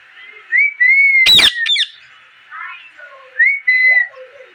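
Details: Parrot chirping: clear whistled notes, some rising and some held steady, broken by a sharp harsh click, then lower sliding whistles and two more steady whistled notes.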